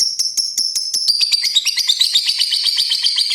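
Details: Pastel green lovebird shifting from 'ngetik' ticks into a rapid, buzzy 'ngekek' trill: spaced high clicks for one second, then a dense, slightly falling rattle that continues loudly to the end.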